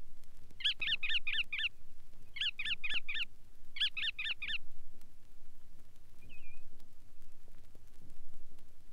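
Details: Bar-tailed Godwit (Limosa lapponica) giving three quick bursts of four or five nasal, rather harsh notes, each burst about a second long, over a low steady hum.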